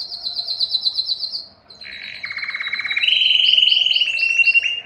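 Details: Belgian canary song used to excite hens for mating: a fast high chattering trill, then lower pulsed rolls stepping upward, ending in repeated arched high notes over a continuous rolling trill.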